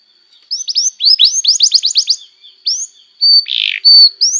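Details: Canary singing as a model for young canaries: a quick run of rising high chirps, then a steady thin tone and a short harsh burst among further clear whistles.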